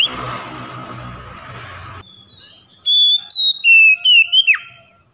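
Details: Oriental magpie-robin song used as a lure to get silent, reluctant magpie-robins singing: two seconds of dull noise, then a loud phrase of pure whistles stepping down in pitch and ending in a sharp downward slur.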